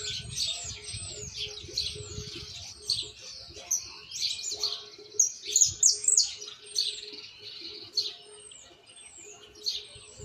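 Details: Argentine white jilguero chick rehearsing misisipi song, not yet polished: long stream of high chirps, trills and sharp downslurred whistles, loudest around the middle, with a low steady hum and some low rumble early on.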